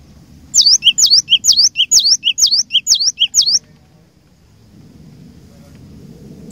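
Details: Seven quick high two-note phrases from a cinereous tit lure bird, a sharp whistle dropping to a lower chip, repeated at a brisk pace, followed by quiet low rustling background noise.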